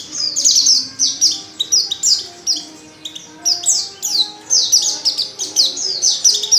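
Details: Calling female white-eye in heat, seeking a male: rapid strings of high, thin chirps sliding downward, packed closely into bursts, with a faint steady low tone underneath.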